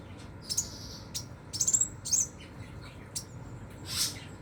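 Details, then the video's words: Scarlet minivet in 'nembak' song: scattered short, very high pulsed chips and thin trills delivered in quick irregular bursts, with a brief sharp hiss near the end over a faint background hum. "BURUNG SEPAH RAJA NEMBAK, ENAK BANGET SUARANYA"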